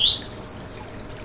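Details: Yellow-bellied seedeater (coleiro baiano) song used to fire up another bird: three quick, very high, downslurred whistled phrases in the first second, then fading to faint background hiss.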